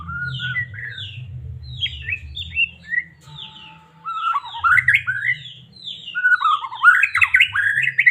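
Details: Song of a white-rumped shama from Medan, meant to provoke a caged bird into singing; short whistled phrases building into dense, loud warbling sweeps, with a low hum underneath.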